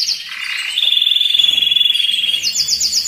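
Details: Canary tutor song for stimulating males and preparing females for breeding: a few rising notes, then a long even trill held steady for almost two seconds, ending in quick high repeated slurs.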